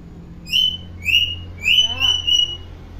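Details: Tame common hill myna, a clever talker that imitates all kinds of sounds, kept in a cage but let out to play and fly. It gives loud, clear whistled notes, about five short bursts, some sliding and some held level.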